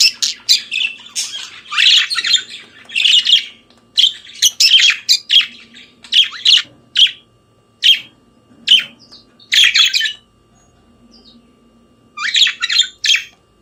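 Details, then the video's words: Budgerigar singing at morning time: clusters of sharp chirps and scratchy chatter in short bursts, spacing out into single clipped notes, then a quiet gap before a final chattering flurry. "Periquito Australiano Cantando pela Manhã"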